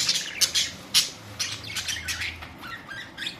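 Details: Several budgerigars recorded on April 19, 2023, giving sharp, bright chirps and squawks in quick irregular bursts, with strong peaks near the start and around one second, over faint low background hum.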